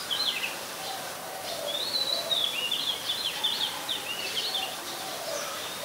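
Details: Oriental magpie-robin singing in Ubon Ratchathani, Thailand, on 26 December 2020, recorded with a Nikon P1000: a steady run of bright whistled notes and quick slurred phrases, rising and falling, over soft lower background tones.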